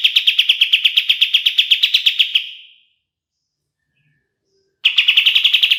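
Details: Bulbul called kapas tembak, used as a master song for training songbirds: a brisk, regular trill of sharp notes fading away, two seconds of silence, then the trill starting again.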